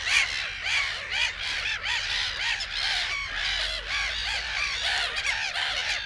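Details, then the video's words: Black-headed gulls in the reed beds of Matsalu, Estonia (released 1979), giving a dense chorus of harsh, rasping, arched calls that overlap continuously, with many birds calling at once and no pause. "Black Headed Gull"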